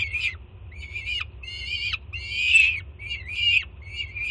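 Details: Young peregrine falcon at a city nest site in Jersey City greeting its mother bringing food in June; drawn-out grating screams, each about half a second, ending in a downward slur, about one per second over a low hum.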